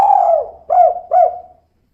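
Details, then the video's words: Female spotted dove (tekukur), kuk-2 style: one long, low cooing note that slides gently downward, then two shorter rounded coos. The sound is clean and quiet otherwise. "Suara Burung Tekukur Betina Kuk 2"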